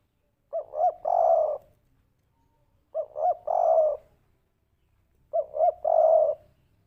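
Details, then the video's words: Spotted dove, called derkuku, kuk 3 lure call: three phrases, each two brief hollow coos followed by a long rich coo, spaced about two and a half seconds apart with faint low rumble between. "pancingan burung derkuku kuk 3 putar sebentar saja langsung nyaut"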